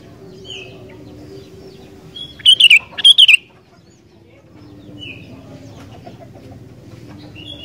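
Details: Sooty-headed bulbul song meant to spur wild birds to sing: two quick bursts of tumbling whistled notes close together, then soft distant whistles against a steady low murmur.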